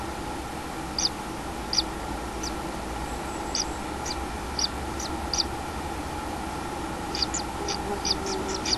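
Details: Common kingfisher at its nest with a one-day-old chick, 6 July 2016 around 14:40; short, high, sharp chirps come singly and in quick clusters over a steady low hum and hiss.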